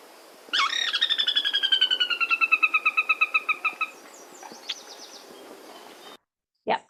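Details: A Sora, breeding in Newfoundland, gives its loud descending whinny, used by both males and females to defend territory and keep in touch: about twenty-five clear whistled notes sliding lower over three seconds, then faint scattered notes.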